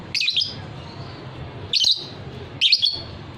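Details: Shrill, chattering lovebird bursts from a fighter-type bird kept for its ngekek trilling, three short rough phrases about a second apart over faint low hum.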